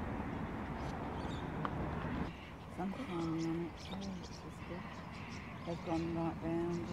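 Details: Magpie geese feeding and flying in large flocks near Darwin, recorded on a Canon XF105. Short, clear honks with a nasal tone come in pairs and small groups after a brief lull, over a low murmur of flock noise.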